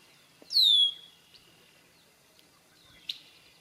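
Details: Male Red-winged Blackbirds singing and displaying at the cattail marsh edge, Roy Marsh / Rail Trail, South Hero, Vermont; a single loud, clear, downward-slurred whistle, then near-quiet with a few faint distant chips.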